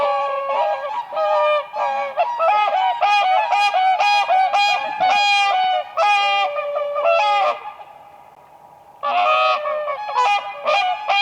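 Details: Several whooper swans dancing on spring lake ice call in a steady run of brassy honks about once a second, then a brief pause before the chorus resumes.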